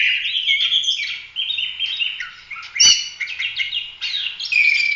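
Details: Oriental magpie-robin in steady full song for training other birds, warbled whistles and buzzy chatter flowing continuously, a sharp click near the middle.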